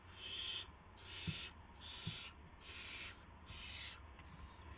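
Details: Young owls at the nest after midnight on March 19, 2016, during prey deliveries by the adults; five breathy, rasping hisses about half a second long, with faint low knocks between them.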